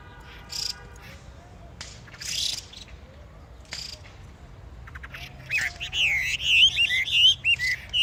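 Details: Spring birds singing: a few scattered chirps at first, then a rapid, rising flurry of looping whistled notes that grows louder toward the end, about two notes per second.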